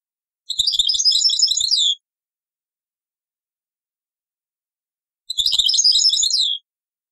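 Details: Goldfinch song in the taqsrayin style, from an old cassette: two matching phrases of rapid, jingling twitters, each lasting about a second and a half, with a long silent gap between them.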